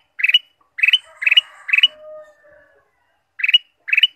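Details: Ruby-throated bulbul song used as a lure to stimulate caged birds into singing: six bright bursts of quick stacked chirps, four close together and then two more after a pause, with a faint lower whistled tone trailing between them.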